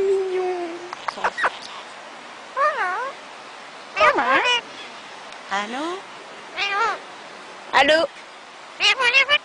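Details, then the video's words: Parrots talking together and kissing: wavering, harmonic speech-like utterances and short chattering bursts separated by brief pauses, with a whistled tone at the start. "parrot talking together & kissing"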